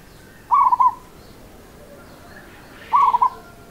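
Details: Local zebra dove singing in rhythmic style: two clear, rolling coo phrases, each with three or four quick bubbling pulses, about two and a half seconds apart in quiet surroundings.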